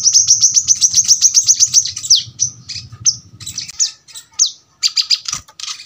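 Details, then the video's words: Brown-throated sunbird with a tight, sharp rapid-fire song: a quick row of high piercing notes, then looser downslurred whistles and short bursts, with a faint low hum early on. "kolibri kelapa | manggar | wiceh | tembakan rapat super tajam"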